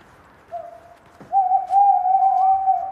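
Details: Tawny owl in a forest in Allgäu, Bavaria, one of a pair using a nest box 18 m up for ten years, during the December nest-site search: a short soft note, brief pause, then a long, steady, slightly wavering hoo.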